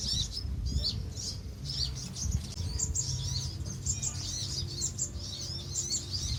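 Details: Colony of Van Hasselt's sunbirds (Leptocoma brasiliana) at Pulau Perhentian, Terengganu, Malaysia, June 2017: thin, high, quick chirps and twitters overlapping continuously, over a steady low rumble of wind or surf.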